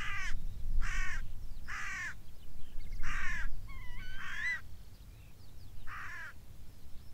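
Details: Crow calling from the top of a beech tree on moorland: six harsh, hoarse caws at roughly one-second intervals, with thin high chirps of small birds in the background and a low rumble of wind.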